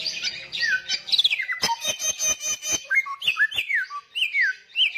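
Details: Loud, persistent samyong song. Dense high whistles open the clip, then a burst of sharp rhythmic clicks, then looping whistled phrases that slide downward.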